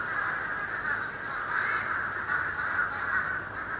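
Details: Countless birds in a sky-blackening flock over Florida, late December 2011, filmed with a camcorder, make a continuous roaring chatter of massed calls that swells and fades slightly but never pauses.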